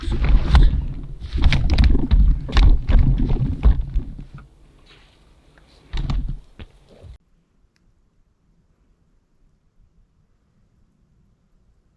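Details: Low thumps, rustling and handling bumps for about seven seconds, then near silence, with no animal calls heard.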